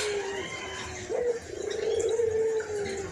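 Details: White collared dove, hoarse and calling often, gives a short low coo, a quick upward note, then a long steady coo.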